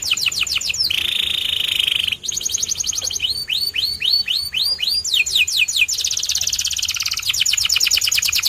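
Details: White canary in full song, mixing crisp repeated downslurred whistles with a sustained buzzy trill, a row of arched rising-falling notes, and loud, fast, high rattling rolls.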